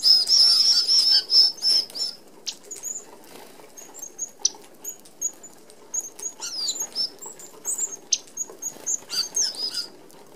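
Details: Red-browed finches, native to Australia, crowd a mesh feeder as a feeding flock. A loud run of shrill high whistles opens, then many brief thin peeps scatter among fluttering wing whirrs.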